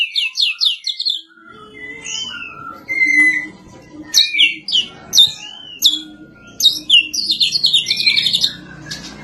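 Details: White-rumped shama of the Medan type, blorok-patterned, delivering varied loud whistled phrases: upslurred and downslurred notes, sharp chips and short bursts separated by brief pauses, ending in a fast chattering trill, with faint low hum behind.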